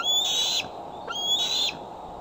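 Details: Female bald eagle at Decorah, wearing a transmitter fitted that day, back on her branch at dusk, 8:44 pm CDT on 12 July 2011, caught by a nest camera: two high, thin whistled calls with a slight rise, about half a second each, over a steady background hiss.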